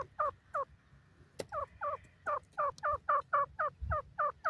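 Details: Newborn grey francolin chicks playing in a forest: quick repeated twisting peeps, around four a second, with a sharp click and faint low background rumble.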